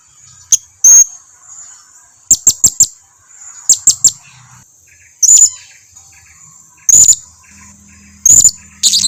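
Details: Blue-crowned hanging parrot lure call used to prompt other hanging parrots to answer: very high thin sharp chirps, single and in quick bursts of three or four, separated by pauses of one to two seconds.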